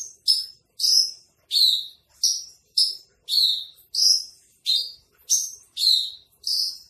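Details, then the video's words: Javan bush lark ('branjangan trotol') repeating short, scratchy chirps with a slight downward slur, about one and a half per second, bright and high-pitched over near silence. "masteran branjangan trotol"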